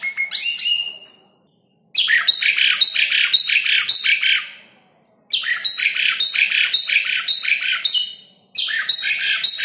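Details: Asian pied starling song meant to coax lazy caged starlings to sing: three long bursts of rapid, harsh, rattling chatter mixed with whistled notes, separated by brief silences.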